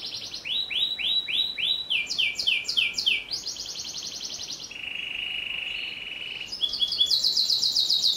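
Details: Canary with a long rolling song meant for teaching other birds: series of swooping whistled notes, then faster pulsed rolls, a flat buzzy sustained trill, and a final rapid high rattle.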